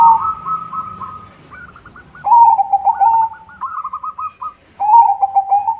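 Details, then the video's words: White zebra dove singing actively as a lure for other zebra doves: a sustained coo, rippling runs of clipped notes, and two loud bursts of rapid bubbling coos about two seconds apart. "SUARA PERKUTUT PUTIH GACOR irama bagus, untuk pancingan semua jenis perkutut"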